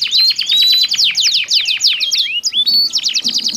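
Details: Two canaries singing in reply to each other, intended as therapy for canaries that stopped singing after molt; quick repeated down-sweeping notes, a rising slurred whistle, then resumed rapid trilling.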